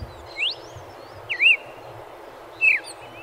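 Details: Red-crested Cardinal in São Paulo gives three clear, slurred whistled notes about a second apart, the first rising and the later ones dipping, over a steady low background rumble.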